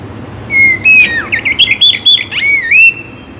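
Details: Oriental magpie-robin of the Bagong type, a morning and evening song used to spur magpie-robins into singing: loud, clear whistled phrases, some sliding and some warbled, delivered in quick varied bursts with brief pauses.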